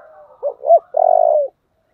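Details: Spotted dove calling in 'giọng thổ' voice, 'thúc' and 'gáy gọi' style: a soft lead-in murmur, two short rising hoots, then a long steady vibrating low coo ending abruptly.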